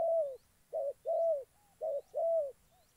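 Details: Spotted dove used as a trapping decoy in Gia Lai, Vietnam, with a short run of soft, hollow coos: one drawn-out note, then two pairs of a short and a longer note. Faint high chirps sound behind.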